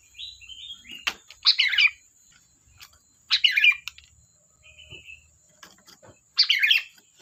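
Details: Kutilang, the sooty-headed bulbul, in busy chatter. Loud bubbly phrases recur every couple of seconds, mixed with thin high whistles and a short flat note between bursts.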